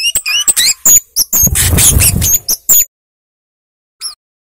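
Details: Flowerpecker, known locally as cabe-cabean or kemade, in a lively, full-voiced song used as a tutor recording: rapid high thin chips and upslurred whistles, with a harsh broadband rustle midway, then silence and one final chip.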